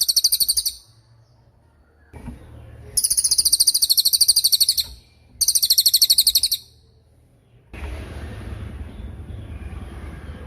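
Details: Cililin bird singing for a songbird training recording: three bursts of shrill, rapid, high trilled notes, each one to two seconds long, separated by pauses, ending with broad hissing noise.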